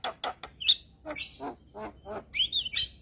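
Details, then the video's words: Javan myna in full song, recorded as a tutor recording for training songbirds, chattering nonstop all day: short harsh chacks and buzzy bursts mixed with a few high pure whistles, rising and falling in quick succession. "Masteran Juara Burung Jalak Kebo Gacor Tak Henti Henti Ngoceh Seharian"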